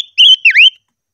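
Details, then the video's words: Caged silver-eared mesia in voice training, giving a single loud whistled phrase: a level note followed by a swooping downward-then-rising slur, lasting under a second, with a clean silent background. "Chim ngũ sắc hót hay luyện giọng - ngũ sắc hót ché"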